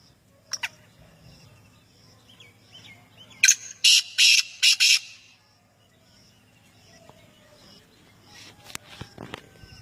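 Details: Male black francolin calling: a harsh, grating phrase of about four rasping notes in quick succession, with faint distant chirps before and after.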